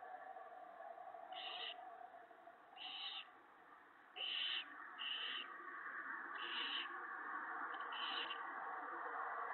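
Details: Owlets and adult owls on a March 2017 evening as the male brings more food, including mice and a rabbit. Six short, wheezy hissing bursts spaced one to two seconds apart over a continuous hum.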